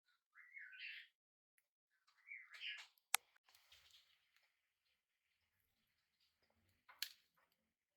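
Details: Tame, hand-reared budgerigar chick on its first day in a new home, calling indoors: two short warbled chirps, each rising and wavering, about two seconds apart, followed by sharp clicks and a quiet room.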